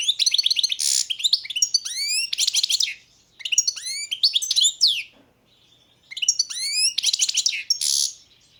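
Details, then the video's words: European goldfinch of the Balkan subspecies carduelis balcanica singing. It gives bright, tinkling twitters and rapid liquid trills mixed with upward-swept notes, in three bursts with short pauses between them. There is little background noise. "Pesma štiglića, češljugara , grdelina, lokera carduelis balcanica"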